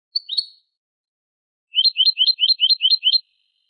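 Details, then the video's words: Eurasian goldfinch song from a Malaga copla tutor tape in the Manolo style, used to teach young goldfinches and hybrids: a brief high twittered note, a pause, then a crisp phrase of about eight rapid repeated chirps, with no background noise. "شريط كوبية ملقا (Manolo) original لتلقين فراخ الحسون والهجين"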